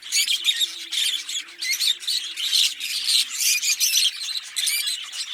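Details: Green Fischer's lovebird pair singing and chirping, a steady stream of high, harsh squeaky chirps and squawks packed closely together, loud and unbroken, with faint low hum beneath.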